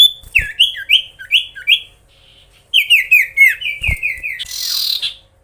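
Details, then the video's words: Magpie-robin singing to provoke rivals, a rapid series of bright downslurred whistles repeated about twice a second, a brief gap, another whistled run, then a harsh scratchy burst at the end. "SIRTU/CIPOH GACOR BIKIN EMOSI SEMUA LAWAN!"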